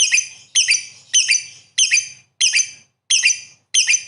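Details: Lovebird singing busily in 'gacor' style, repeating harsh, high, rasping chirps about every half second in an almost steady rhythm over a low background hum.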